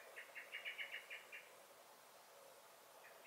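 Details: Short alarm burst from a garden common blackbird (Turdus merula), May 2021: seven or eight hard, rapid chinks lasting about a second, quiet, then the first notes of a new series.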